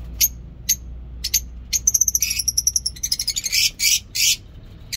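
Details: Mini zoo lovebirds in the morning: a few isolated sharp chirps build into a fast chattering run of high notes, ending in two long, harsh, rasping screeches.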